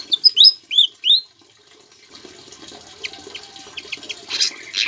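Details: Javan flycatcher singing with imitated Ciblek phrases, used as a tutor for other cage birds: a quick run of bright, swooping whistles opening the clip, then scattered faint chirps over hissing background.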